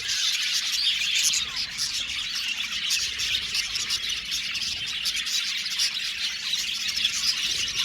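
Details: Budgerigars in an aviary colony chirping together: a dense, continuous wash of high twittering, chattering and short squeaks that overlap without pause for the full length.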